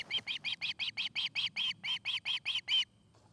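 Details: Osprey at a nest in Charlo, Montana, August 29, 2018, afternoon: about fifteen hoarse, raspy chirps in an even, rapid series, each note broad and scratchy, stopping abruptly, with soft low background noise.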